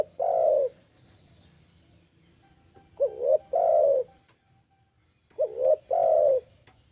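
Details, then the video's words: Spotted dove (tekukur) song of soft, hollow coos: a lone long note, then twice a quick double-lobed coo followed by a drawn-out one, repeated about every two and a half seconds, with faint background hum. "Suara Burung Tekukur"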